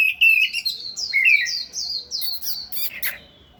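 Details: Singing oriental magpie-robin, dancing as it sings: a clear sweet whistled phrase of sliding notes stepping up and down, followed by a few harsh buzzy chirps.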